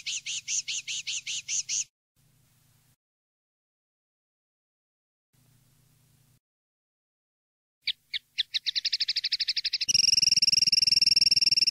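A common linnet sings a run of bright repeated twitters, then a fast rattling trill that gives way to ringing, buzzy sustained notes.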